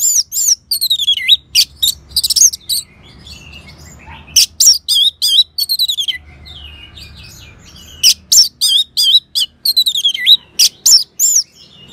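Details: An orange-headed thrush in full, rapid song, used as a tutor sound for other birds: dense runs of loud, varied whistled and twisting notes with a brief quieter gap midway.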